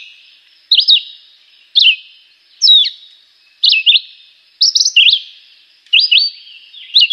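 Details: Juruviara (Chivi vireo) repeating its simple, melodious song, crisp high whistled phrases of rising and falling slurred notes given about once per second, seven phrases in a regular series.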